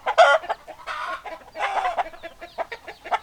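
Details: Hens and roosters of a farmyard flock: loud raspy squawks in bursts, short clucks between them and faint high chirping behind.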